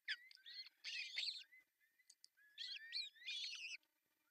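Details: Osprey calling at its artificial nest in Pohjois Satakunta, Finland, June 10, 2024, while the male brings a big floppy fish for breakfast: dense, excited series of high, arched whistled chirps in two long bursts.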